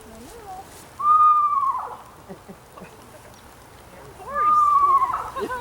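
Two Eastern Screech-Owl whinnies, each a quavering, horse-like call about a second long, with a person talking quietly between and around them.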